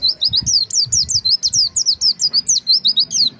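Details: White-eye, called pleci or kacamata bird, giving a fast, unbroken run of high, thin, twisting chirps, about four per second, sustained and even in loudness, with a soft low rumble beneath.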